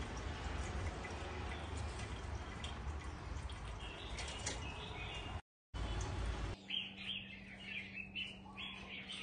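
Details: Red-whiskered bulbul of a platinum-patched mutant form, first half muffled by heavy noise, then after a brief break clearer bubbling chirped phrases repeated over a steady electrical hum.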